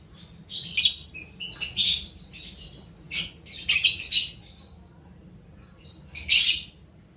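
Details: Paud balibu fighter lovebird, used as a lure recording to stimulate other lovebirds into long ngekek chattering; shrill, scratchy bursts of rapid twittering in four clusters over seven seconds, separated by short pauses, with a faint low background hum.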